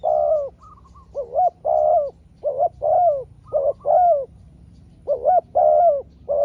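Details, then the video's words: Spotted dove trading calls with a competing wild dove during a drawn-out contest. Dense runs of mellow, bending coos follow one another quickly, broken by a brief higher fluttering note. "เสียงนกเขาใหญ่ เจอนนกป่าเสียงเล็กคูดีคูสู้กันอยู่นานกว่าจะติดแลกกกันคนละทีทีีลุ้นมันเลย"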